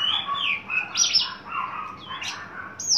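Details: Tame, fully mature male Horsfield's bush lark in breeding condition gives a quick run of varied, high chirps and squeaky slurred notes, a few each second, over faint hiss; its natural volume is said to be very loud.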